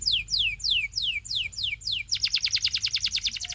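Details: Canary singing a run of six loud descending whistled sweeps, about three per second, then switching to a fast, even, buzzy trill of rapid repeated notes. A faint low hum sits underneath.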